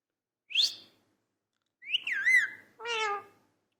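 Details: Talking parrot giving three short separate sounds: a sharp rising whistle, then a wavering slurred whistle that flattens out, then a rich harmonic voice-like note, with pauses between them.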